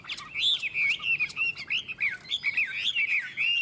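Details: Chinese hwamei in a singing contest between two birds, from Vietnam: rich, varied whistled phrases, sliding up and down, with rapid warbled notes packed densely through the clip.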